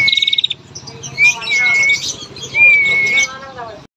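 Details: Female bar-winged prinia giving a long trilling call used as a lure to make males sing: a rapid high trill at the start, then two sustained whistled notes that rise and level off, over a dense wash of chirps.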